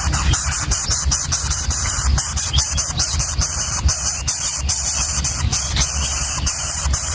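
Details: Loud music with steady low beats and rapid rhythmic clicking fills the whole recording, with no animal voice standing out.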